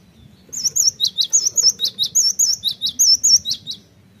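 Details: Cinereous tit lure song for quickly prompting birds to sing: a rapid series of high, sharp, repeated two-part notes, roughly a dozen in a dense three-second burst, over a quiet low hum.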